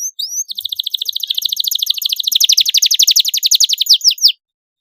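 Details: Young birds' training song from a canary: after a couple of swooping notes, a long rapid rattling trill of evenly repeated notes that slows into a few final slurs.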